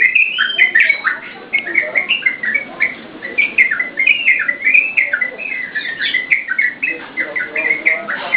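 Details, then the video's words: Singing yellow-vented bulbul, recorded as master material and bait for cage birds: brisk bubbling whistles, each note bending sharply, delivered in an unbroken rapid sequence. "SUARA TRUCUKAN GACOR UNTUK PANCINGAN DAN MASTERAN"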